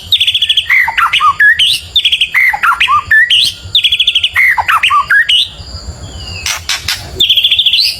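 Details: Shama song, varied phrases used to rile the birds next door: buzzy trilled notes alternate with sharp falling and rising whistles in quick bursts. A short pause with scattered clicks comes before a final trilled phrase.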